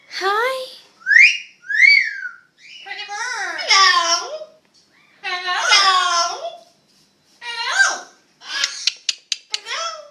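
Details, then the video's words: Two parrots at an exotic bird hospital talking and playing, producing speech-like phrases, swooping whistles and squeaky babble in a small room, ending with a run of quick sharp clicks. "Birds Talking"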